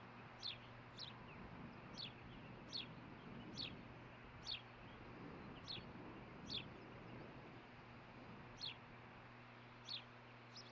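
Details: Osprey calling at the nest in the early morning of 11 June 2015 while looking for fish. About eleven piercing, steeply sliding whistles, spaced about a second apart, over a steady low electrical hum and faint wind.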